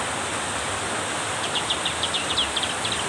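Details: Black-capped white-eye singing harder during heavy rain: after a quiet start, a quick series of high, thin chirped notes begins around halfway and runs to the end over a steady hiss of pouring rain.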